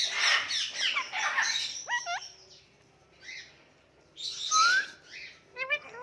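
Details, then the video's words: Pet Indian ringneck parakeet chatters harshly, then gives quick stacked upward-hooked squeaks, a clear rising whistle, and a final run of rapid rising chirps. "Talking Indian Ringneck Parrot Making Cute Noises"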